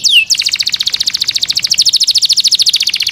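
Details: Kept Yorkshire canary opens with a single falling whistle, then holds a fast, even trill of roughly eight notes per second for nearly three seconds.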